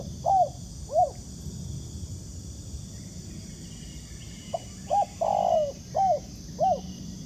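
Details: Spotted dove in the wild cooing back at a trapper's ground decoy. Two brief notes, then a quiet gap, then a full phrase of short hoots around a sustained downward-sliding coo, with faint insect buzz behind.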